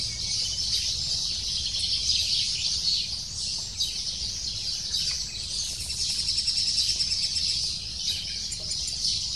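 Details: Lesser spotted woodpecker chick begging at the nest, calling insistently while its parents come to feed it; fast, high-pitched twittering pours out nonstop in overlapping bursts over faint low rumble.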